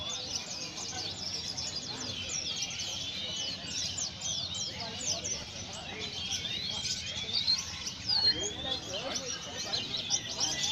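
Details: Indonesian white-eye in full, continuous song: quick, high, slurred chirps and twitters pour out without pause, getting louder toward the end, over low background hum.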